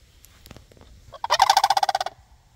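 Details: A sandhill crane answers a person imitating its calls with a loud, rolling rattle of about a dozen fast, throaty pulses lasting under a second, after a few faint clicks and rustles.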